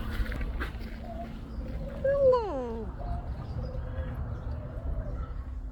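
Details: Kea at Willowbank Wildlife Reserve, Christchurch, New Zealand, in May 2025, flying in to eat, gives a single harsh, drawn-out cry sliding steeply downward over a low rumble of wind or distant traffic.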